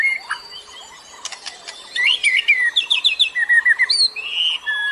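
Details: White-rumped shama, forest-sourced recording used to prompt and train captive birds that rarely sing and are still learning, giving varied whistled phrases and a rapid series of repeated bright notes in the second half, with other birds faintly behind.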